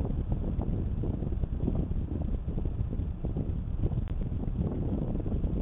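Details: Heavy wind buffets the microphone outdoors, producing a continuous low rumble with no audible animal calls.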